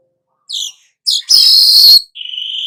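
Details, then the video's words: Golden-headed weaver song, recommended as a tutor recording for training songbirds: a few high chirps, then a loud sizzling buzzy burst lasting about a second, ending in a steady thin whistled tone. "suara manyar kepala emas cocok buat Masteran"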